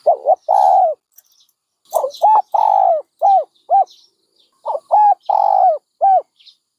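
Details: Dove coos in rhythmic phrases: a double note, a long mellow coo, then several short falling coos, with the pattern repeated after a pause.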